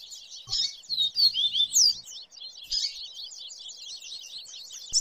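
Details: Double-collared seedeaters (coleiro) with papa-capim give 'viviti' song in a noisy mixed chorus: fast, high, unbroken jumbled stream of sweet chips and quick trills, several voices overlapping; a faint low hum briefly near the start.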